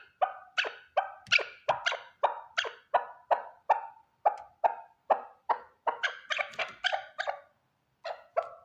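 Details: A single male chukar partridge calling, recorded without repetition and used for hunting: a rapid, rhythmic series of harsh, clucking chuk notes, roughly two to three per second, speeding into a denser burst near the end, with no other sounds.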